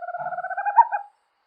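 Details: Small owl called corujinha da amazonas, a night-active forest bird of the Amazon; a quick even trill of hooting pulses, rising slightly and ending in a couple of stronger notes. The recording is clean, with no background noise.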